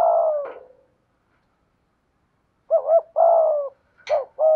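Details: Decoy spotted dove with a prized 'giọng thổ' voice style: a long, low, slightly falling coo, then after a pause a short wavering double note, a sustained coo, a brief click and another coo.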